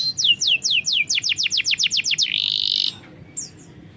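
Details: Canary singing to prompt a reluctant bird: about a dozen sharp downslurred whistles repeated four times a second, then a flat buzzing note and a brief final chirp.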